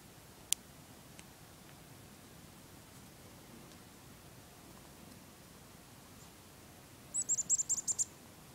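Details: A chickadee being hand-fed on a cold day gives a quick burst of about seven very high, thin chipping notes in under a second, after a mostly quiet stretch with a faint early click.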